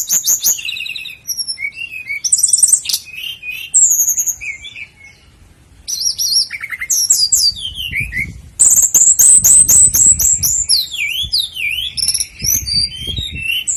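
A flycatcher sings a fast, high run of thin whistles, chirps and rapid trills. Phrases tumble almost without pause, with a brief lull midway.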